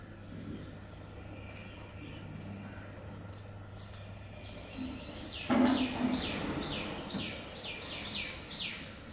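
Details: Wild sooty-headed bulbul bathing: after a brief splash-like burst, a run of bright, downward-sweeping chirps repeated about twice a second over the last few seconds, with a steady low hum behind.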